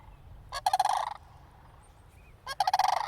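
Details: Cranes calling near a church as a person approaches: two loud, harsh, rolling rattles about two seconds apart, each a fast burst of throaty pulses lasting around half a second, over a low background rumble.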